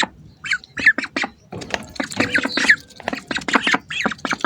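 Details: Several hungry ducks up close: a few isolated nasal notes first, then a quickening string of raspy quacks and squawks.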